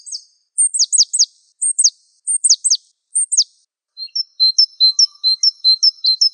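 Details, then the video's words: Java sparrow, known locally as Gelatik Wingko, in a masteran song recording: clusters of sharp, high downslurred chirps in twos and threes, followed by a quicker run of short, thin high notes. No other sounds. "Suara Masteran Burung Gelatik Wingko"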